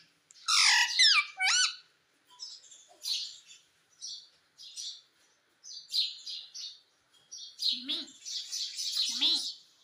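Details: Household talking parrot mimicking "mummy" gives loud bent squawks at the start, then a run of softer scratchy chirps and chatter with gaps between them.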